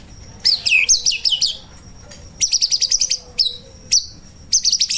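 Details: White-rumped shama song used as a training master for songbirds: rapid bursts of sweet, sharply modulated whistles and chattering notes high in pitch, delivered in phrases separated by short pauses, with a thin steady tone between phrases.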